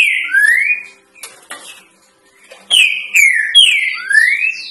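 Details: Green-winged saltator giving the 'três notas boi' song, used as a tutor recording for young birds: loud, clear whistled phrases of down-slurred notes followed by a long rising slur, delivered twice with a short pause between.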